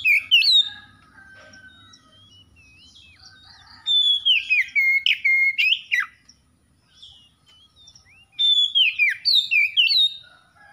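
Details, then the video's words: Magpie-robin, a caged bird being brought back into full song after stress, delivers loud bursts of rich whistled notes, some sliding down steeply, in three separate runs with quieter distant birdsong in the gaps. "KACER SETRES MACET BUNYI LANGSUNG GACOR"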